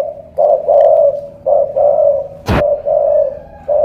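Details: Spotted dove of the strong-voiced 'thổ cọp' kind, Ca Mau, Vietnam: hollow paired coos with a clipped first note and a drawn-out second, repeated steadily, broken once by a sharp click.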